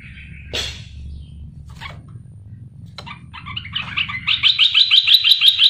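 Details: Lure song of a caged, wild-caught bulbul kept three months: a few isolated notes and clicks, then a loud, sharp run of rapidly repeated chirps at the end.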